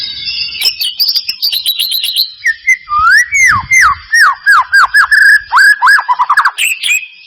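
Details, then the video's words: White-rumped shama lure song meant to make a silent caged bird sing: high trilled whistles followed by a series of loud looping, rising-and-falling whistled notes repeated about three per second. "Pancingan murai batu mancet bunyi ‼️ pancingan murai batu males bunyi‼️respon cepat"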